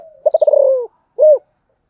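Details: 'Giọng thổ' style song of a spotted dove, described as special: a soft lead-in note, a fast stuttered series of low coos sliding downward, a brief silence, then one full arched coo.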